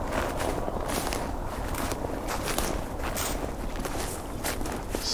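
Footsteps crunch steadily outdoors in a rural setting, with faint distant speech and low rumbling background noise; no animal calls stand out.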